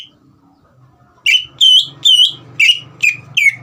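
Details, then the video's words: Caged green leafbird song for stirring a young bird's singing: after a quiet hum-filled start, six loud clear whistles with downward and looping inflections follow about every half second. "CUCAK IJO GACOR INI SPONTAN MEMANCING EMOSI CUCAK IJO BAHAN TROTOL AGAR GACOR"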